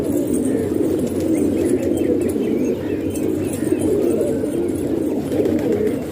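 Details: Household pigeons in Pakistan: deep, steady rolling coos from several birds blending into a constant low murmur, with occasional soft rustles and light clicks.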